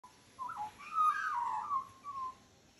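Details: Female magpie acting as aunty to a litter of five puppies, singing them to sleep; soft warbled, slurred notes rising and falling in short phrases, with a louder middle stretch and quiet pauses between.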